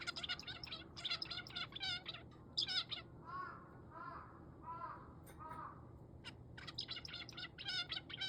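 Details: Male zebra finch uttering bursts of sharp nasal chirps, interrupted midway by several lower, hoarse crow caws, after which the finch resumes rapid clustered calling.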